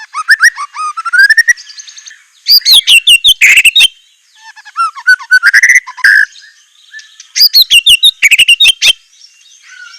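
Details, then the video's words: Murai batu (white-rumped shama) with fierce, ornate filler song: rising fluty notes, then dense bursts of fast chattering and whistled syllables, alternating with lower mellow warbles across ten seconds of nearly continuous singing. "ISIAN MEWAH MURAI BATU_PALING TOP SUARA SANGAR"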